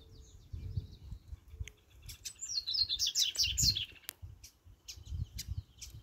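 A Double-collared Seedeater sings a fast, high, twittering phrase of sweet, varied notes. A low rumbling background runs underneath.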